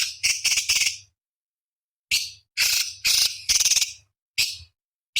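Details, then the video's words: Master recording of a small cucak cungkok for teaching contest birds: rapid stuttering buzzy notes in clusters of three or four, then longer grating bursts after a pause, with a faint low hum. "Masteran Cucak Cungkok Istimewa"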